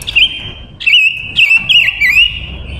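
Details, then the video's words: Silver-eared mesia, a captive decoy female, singing to lure wild males: a loud, high whistle that wavers and warbles, several quick phrases running together without a break. "Ngũ sắc hót mồi gọi bổi"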